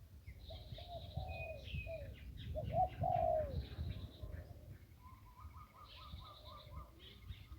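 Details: Zebra dove beside the Ping River, Thailand: a run of short rolling coos followed by one longer trilled phrase, over a low rumbling background with quick high chirping series from other birds afterwards.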